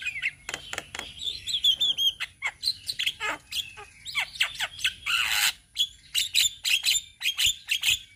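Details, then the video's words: Young black-winged mynas in Indonesia calling as a flock: rapid sharp chips and squeaky whistled notes, a loud harsh hissing burst midway, then more clipped chatter. "Masteran Jalak Kebo Bahan - Jalak Kebo Ombyokan - Kicauan Burung Jalak Kebo Indonesia"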